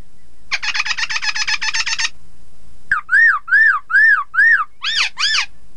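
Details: Chinese hwamei song to stir rivals into singing: a dense buzzy trill lasting about a second and a half, a pause, then loud arched whistles repeated roughly every half second.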